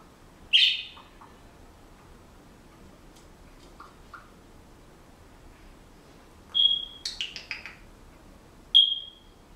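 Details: Pet Senegal parrot kept in a household, whistling and making assorted household noises: short bright whistled notes, a sharp high squeak near the start, soft mid-pitched chirps, then a cluster of high warbled whistles and a final clear whistle.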